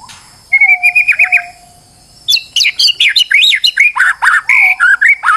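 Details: Varied song of a stressed white-rumped shama, used to goad another bird into singing and unloading its repertoire. It opens with a fast trilled whistle series, pauses, then gives a dense run of looping, swooping whistles and sharp chips.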